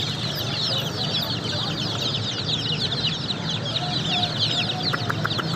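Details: Numerous baby chicks peep steadily with high, sweet chirps crowding together, and a few sharp clicks sound near the end.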